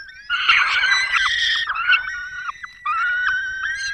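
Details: Nesting peregrine falcons in the Barycz Valley, Poland, May 2022, male bringing prey and female feeding young; rasping screams that give way to steadier, clearer wailing notes with brief breaks.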